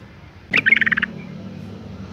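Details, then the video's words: Female yellow-vented bulbul in breeding condition calling to attract males: a sudden burst of about eight quick, bubbly, chattering notes lasting half a second, then a faint low hum. "suara panggilan burung trucuk betina BIRAHI GACOR ROPEL panggil jantan"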